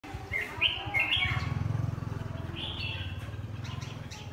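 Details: Tame red-whiskered bulbul let out to sing: short bright whistled phrases, some rising and slurred, in two bursts, over a loud steady low throbbing hum that runs through the whole recording.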